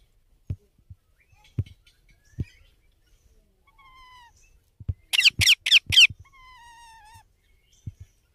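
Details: Baby Indian ringneck parakeet letting out a quick run of four loud, scratchy squawks amid dull thumps and faint thin whistled tones.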